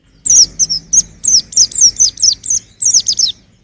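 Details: High, sweet chirping from a young white-eye in 2021: a continuous run of about a dozen quick downslurred notes over a soft low background hum.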